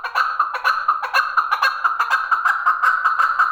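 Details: A male chukar partridge delivering a continuous run of coarse, repeated chuk notes in a quick, slightly uneven rhythm.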